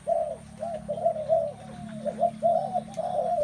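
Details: Several spotted doves coo together in a dense chorus: short, low, mellow hoots tumbling over one another almost without pause, over a low background hum and a thin constant high whine.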